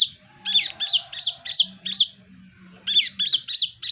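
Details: Small caged sunbird whose song serves as a trapping lure: quick bursts of sharp, twisting high chirps in two short runs separated by a brief gap, over a faint low hum.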